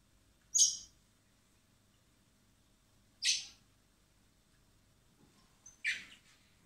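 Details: Common blackbird nestlings being hand-fed at a wildlife recovery centre in spring before going free: three loud rasping begging screeches, about two and a half seconds apart, in a quiet room.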